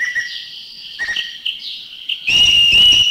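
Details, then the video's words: Green magpie from Thailand giving its strident call: high whistled notes hold steady, then a loud harsh, grating burst with a bright whistled tone runs through the last second. A greater necklaced laughingthrush calls in the background. "thrush. The green magpie is the one with the strident call. Number"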